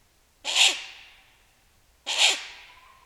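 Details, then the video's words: On a quiet night in a Northern Romanian forest, a female tawny owl gives two harsh, hissing, sharp calls about a second and a half apart, each fading quickly, starting an exchange that a Ural owl answers. "It starts with the call of a female Tawny owl"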